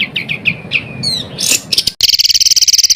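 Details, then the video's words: Bird song meant to train competition songbirds: descending whistled notes and a few swept chirps, then an abrupt cut to a very fast, high, buzzy trill of rapid notes. "BURUNG FULL ISIAN TEMBAKAN"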